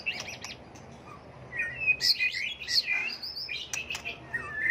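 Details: Many-voiced white-rumped shama song, constantly changing its phrases, meant to provoke birds into singing contests: a few sharp high notes, then a flowing run of clear whistles and twittering slurs.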